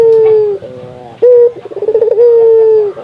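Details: Local Indonesian Barbary dove (puter), kept bird, calling to stimulate other doves to call: long, level, hollow cooing notes with a rough, stuttering burst between them, repeated across three seconds.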